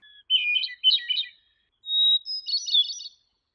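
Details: Hermit Thrush in Maine singing two flute-like phrases, each opening on a steady held note and breaking into a quick, echoing tumble of notes, the second pitched higher.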